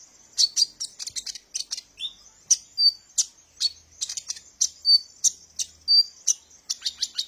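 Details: Sunbird called kolibri ninja, song used to lure training birds; rapid high chirps in bursts interspersed with short clear whistled notes, steady and busy, faint low hum at times.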